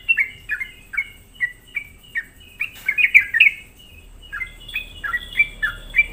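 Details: Sooty-headed bulbul singing energetically as a lure to provoke other bulbuls; rows of short chirps, a louder tumbling jumble in the middle, then clear whistled notes resuming.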